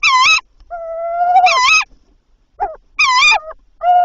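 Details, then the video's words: Tawny owl at night on 7–8 April 2023, as the male delivered prey, bringing three items before 01:00; harsh, nasal, overtone-rich notes repeated three times, with a long steady tonal wail and a short clipped note between them. "Bosuil prooioverdrachten"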